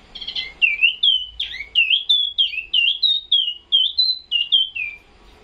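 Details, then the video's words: A caged Chinese hwamei, about to be shipped to Vũng Tàu, sings a rapid run of loud, clear whistled phrases, each slurring down or up, about three per second, with little else heard. "Chim Tiểu Mi Siêu Hót"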